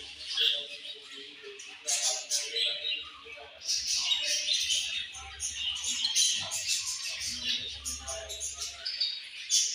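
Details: Budgerigars chirping in a dense, continuous chatter of high buzzy warbles and short squeaky notes, several birds overlapping, with faint low hum at times.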